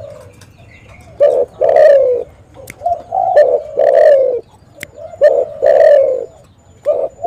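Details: Spotted dove, a calling bird kept as a lure for catching other spotted doves, giving loud, mellow, throaty coos around a low pitch in repeated phrases of two to three notes, about every one to two seconds, with faint clicks between.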